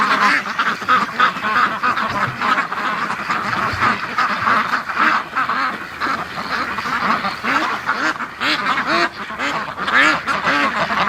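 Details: Domestic ducks in a winter snow storm during the morning rush, much mating going on; dense overlapping harsh quacks sound without pause from many birds, some louder bursts standing out, with a man laughing.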